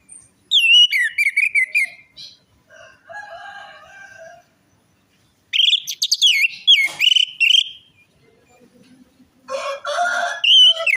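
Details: Orange-headed thrush song meant as a lure for a reluctant or stressed bird: quick whistled runs alternate with lower scratchy, buzzy passages, building to loud varied warbling and ending on a harsh burst and whistle.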